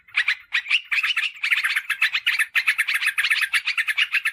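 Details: Yellow-vented bulbul lure recording for bringing in wild birds and tutoring caged birds: a steady succession of rapid, grating chatter notes, opening with a few separate bursts, then running almost unbroken.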